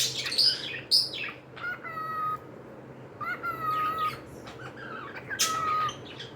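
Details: Pet cockatiels indoors: three level whistles with ringing overtones, each preceded by a harsh high chirp, spaced about two seconds apart, with faint hum behind.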